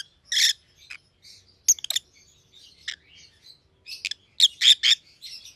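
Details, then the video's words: Captive Rosy-faced Lovebirds of white-headed pallid and green opaline forms calling with rapid shrill chirps, some buzzy, roughly four per second in uneven clusters. "Rosy-Faced Lovebirds - Chirping and Call Sounds"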